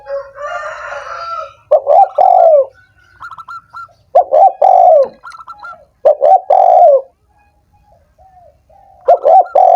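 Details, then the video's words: Spotted dove call to stimulate doves that are lazy and slow to sing: rough, falling coo phrases repeated four times, each followed by quick higher notes, with gaps of quiet between. "suara PERANGSANG burung tekukur yang malas dan macet bunyi"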